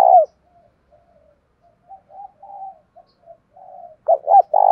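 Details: Spotted dove of the Vietnamese 'thổ' voice type, calling to provoke a contest. The clip opens on the end of a long coo, then soft wavering notes, and closes with two clipped coos leading into a drawn-out burred coo.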